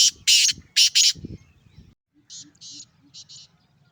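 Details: Male kala teetar, or black francolin, from Sindh calling: loud harsh rasping notes in a rapid group, followed by a softer, more distant answering series of scratchy notes over low background noise.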